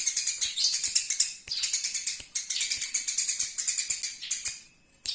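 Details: Eurasian tree sparrow song used as a training recording for birds: dense, rapid chirps and twittering in bursts with short breaks, high-pitched and continuous, with faint background noise.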